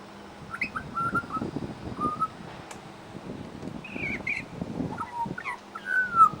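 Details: Pied butcherbird copying other birds at a bird sanctuary: short whistled notes, a buzzy higher phrase and a final loud falling whistle over rustling background noise.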